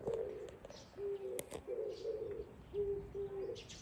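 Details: An Oriental turtle dove, recorded 13 April 2024, gives a low, hoarse cooing phrase of several short notes in a halting rhythm, with faint higher bird chirps in the background.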